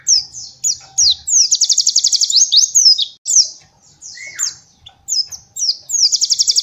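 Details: White-eye master song used to train young birds: sharp high downslurred whistles alternating with fast buzzy trills of rapid repeated notes, one lower slurred whistle midway, some faint low thumps.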